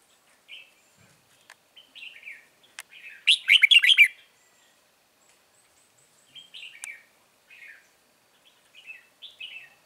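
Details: Red-whiskered bulbul heard while trapping a wild bird on 9 March 2020. A loud, dense burst of rapid warbled notes is followed by scattered soft, slurred whistled phrases, with faint clicks between them.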